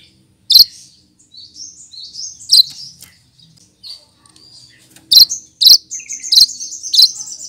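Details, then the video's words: Lesser green leafbird (cucak kinoy), a green bird that imitates other birds, giving sharp high chirps and short whistled slurs in scattered bursts, with quieter twittering notes in between. "Burung Cucak Kinoy!!!Masteran Pintar Menirukan Suara Burung lain"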